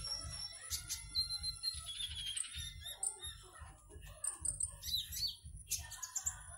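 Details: Konin (Oriental magpie-robin) kept in a cage in Singkawang, West Kalimantan, entered in an online singing contest: clear whistled notes and sliding phrases, some trilled, separated by short pauses, over a soft low pulsing background.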